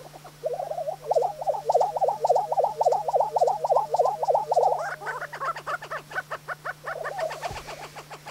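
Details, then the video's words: Several lesser prairie-chickens displaying on a spring lek in New Mexico around sunrise: rapid bubbling gobbles about three per second, then higher cackling and clucking notes join in, over a steady low hum. "Lesser Prairie Chickens"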